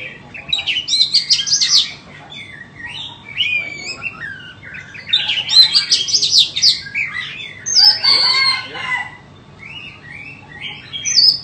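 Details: White-rumped shama, a bird offered for sale, singing in varied bursts: scratchy warbled phrases mixed with rising and falling whistles, separated by short pauses, in a quiet room.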